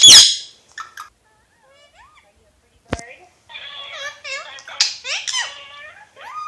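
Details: Alexandrine parakeet, known as a Pakistani ringneck parrot, talking: an opening screech, scattered clicks, then a run of rapid speech-like warbled syllables with rising and falling inflections, ending on a drawn-out tonal note.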